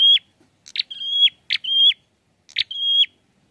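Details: Prinia song, described as sounding full and lively: a repeated pattern of a short buzzy note followed by a long flat whistle that drops at its end, four phrases spaced about one second apart, with no other sounds.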